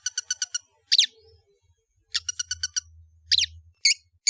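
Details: Long-tailed shrike singing: quick bursts of four or five sharp high clicks in a row, alternating with steep rising-falling whistled sweeps, all very high-pitched, with brief pauses and a faint low rumble in the background.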